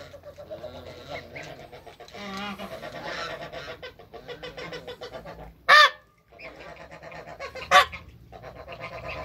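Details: Backyard Toulouse goose mother with her first-day goslings, some of them African and Toulouse hybrids; a run of harmonic nasal calls, then two loud, harsh honks about two seconds apart over a low hum.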